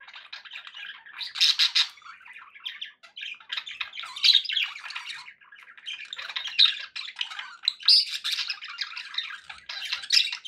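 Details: Pet budgies, kept as company for parrots, chattering continuously in a small room: dense, scratchy warbling with squawks and chirps, loud bursts every second or two over a steady babble.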